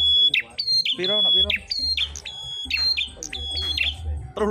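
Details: Prinias locked in a song battle, prenjak merah: shrill whistled phrases with chattering ends, a man's short spoken words breaking in near the start, low rumble underneath.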